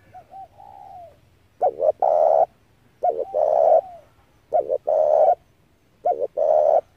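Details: Spotted dove calling as a lure for trapping doves: soft far coos with a falling end, followed by four loud close phrases. Each phrase is a clipped double coo and a long, hoarse coo, evenly spaced.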